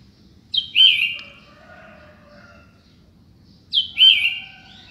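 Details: Two loud phrases from a Sooty-headed bulbul in the morning, about three seconds apart. Each opens with a high note and drops into a bright, falling whistle, with faint softer notes in between.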